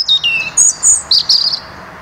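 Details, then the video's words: European robin recorded in the Netherlands in 2023, giving a run of thin, high notes: drawn-out descending whistles followed by short, sharp twittering bursts, clear against a quiet background. "Roodborstje - Robin"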